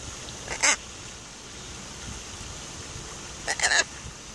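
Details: Macaw parrots at the pond of a castle in a park: two loud, harsh squawks, a short one near the start and a longer doubled screech later, over a quiet, steady background hiss.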